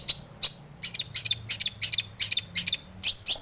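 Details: Long-tailed shrike (cendet), in breeding mood, giving full 'isian' song meant to provoke other shrikes into singing; harsh, scratchy high notes in quick irregular bursts with short buzzy slurs, fairly steady throughout.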